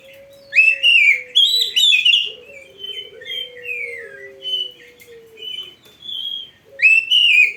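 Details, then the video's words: Oriental magpie-robin singing a training song: bright slurred whistles and rapid chattering notes in quick succession, some phrases falling in pitch, with a soft steady low tone beneath. "MASTERAN KACER GACOR FULL ISIAN !! - Masteran Burung Kacer yang cocok untuk Latihan"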